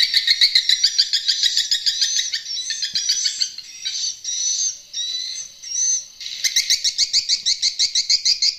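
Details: Old, unedited stereo recording of an edible-nest swiftlet lure call, broadcast through an amplifier and tweeters to draw swiftlets into new swiftlet houses. Fast, evenly pulsed high chirps, briefly merging into longer twittering phrases, then pulsing again.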